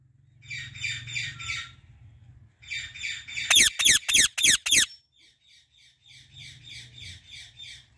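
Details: Soft, buzzy chattering from a female Indian ringneck parrot in a blooming apple tree, broken by a burst of five or six loud, harsh, descending screeches, then quieter chatter again over a faint low hum.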